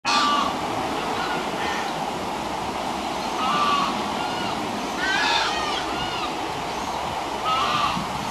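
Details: A newly hatched sacred ibis (white ibis) chick, eyes still closed, gives thin, arched squeaky calls every one to two seconds over steady rushing background noise like wind or surf.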